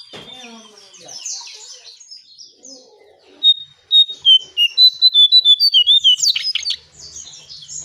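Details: Brown shrike calls played as a lure for other birds: a rapid run of short, sharp, high whistled notes after a quieter jumble of chattering, with a harsh burst near the end.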